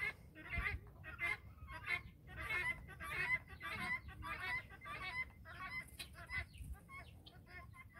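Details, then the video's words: Farm-raised guineafowl flock trailing after a hen, giving harsh, rasping calls repeated about one and a half times per second in a steady overlapping chorus, with a faint low rumble beneath. "Flock of Guinea fowl Following Hen"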